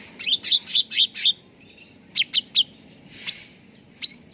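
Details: Cucak ranting bulbul lure song for training birds to sing: a run of five quick sharp chirps, a pause, three clipped notes, then two rising whistled upslurs.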